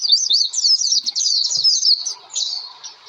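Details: Oriental white-eye lure song for making birds sing, heard as a dense, very high warbling trill of quick slurred notes, easing after two seconds into softer twitters over faint low murmuring.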